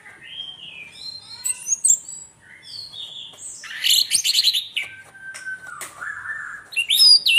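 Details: Orange-headed thrush, known as anis merah tengleng, delivering a varied song of slurred whistles and sharp high chips, a harsh buzzy rattle in the middle, then a drawn-out lower whistle and a final squeaky flourish.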